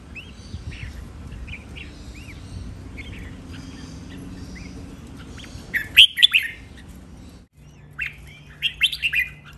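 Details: Red-whiskered bulbul training song in the Thai styles called len rik, nap dok, mae bot and lak wai: short whistled, bubbly notes, faint at first, then louder bright bursts near the end over a steady low hum.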